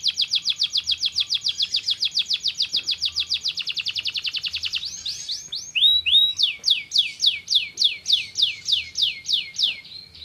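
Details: Canary song meant to stimulate lazy birds: a rapid steady rattle of repeated notes for several seconds, then loud whistled rising-and-falling slurs repeated about twice a second.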